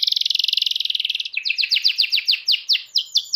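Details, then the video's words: Canary: a high, rapid rattling trill, then quick downslurred whistled notes, about six a second; a lure song for young canaries learning to sing. "PANCINGAN BUAT KENARI PAUD BELAJAR NGELAGU DAN GACOR"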